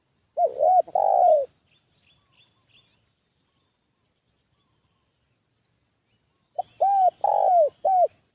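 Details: Spotted dove decoy calling to lure wild doves: a cooing phrase, faint chirps, about five seconds of quiet, then a quick series of four short arched coos.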